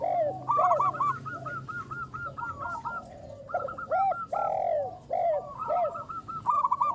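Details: Several local zebra doves, a champion lure bird with a big voice, singing actively. Overlapping, arched, rolling coos are heard, with quick stuttered notes and longer swelling ones tumbling over each other without pause.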